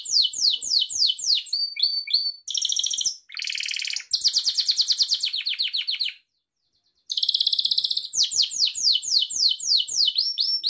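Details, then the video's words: Gloster canary (domestic canary) singing bright, high rolling trills and rapid repeated chirps, switching phrases every second or two with a short pause midway; recording meant for training young canaries to sing. "Orjinal Kanarya Sesi Gloster Kanarya Ötüşü Canary Singing"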